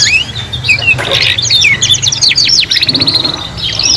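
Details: Young canaries learning song together: a few whistled slurs, then a rapid run of repeated descending notes forming a quick rattling trill, followed by more high warbling.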